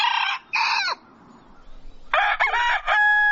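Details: Roosters at dawn, two brief harsh notes, a quiet pause, then a fuller crow with a bent middle note and a steady final cry.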